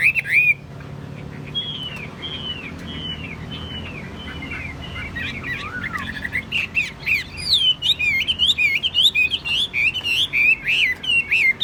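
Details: Caged Chinese hwamei, said to sing well and stay calm, giving a slow series of drawn-out slurred whistles, then an energetic rapid stream of looping, bubbling phrases, with faint low background noise.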